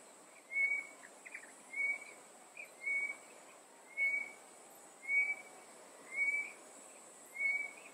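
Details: Tropical boubou in coastal Mozambique, hidden in bushes and treetops; a series of seven short, slightly upslurred whistles about a second apart, with faint softer notes between them and a continuous shrill insect background.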